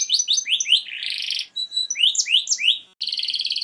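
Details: A canary sings to stimulate females for mating: descending whistled sweeps, a harsh buzzy roll, a short pause, more rising-falling sweeps, and a final buzzy trill.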